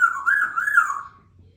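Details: Pet female Congo African grey parrot, three years old, kept indoors in a country home with two other parrots: one loud whistled phrase wavering up and down, fading out after about a second in a quiet room.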